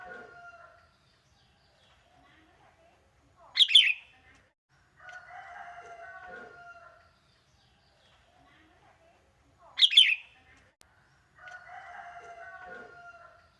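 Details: Young wild sooty-headed bulbul singing steadily in a monotonous style: short, bright, chattering burst phrases repeated about every six seconds, with rooster crowing in between.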